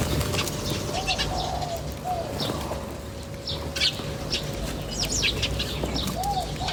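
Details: Outdoor bird chirping: sparse high, sharp chirps spaced a second or more apart, occasional soft lower notes, and a thin steady hum throughout.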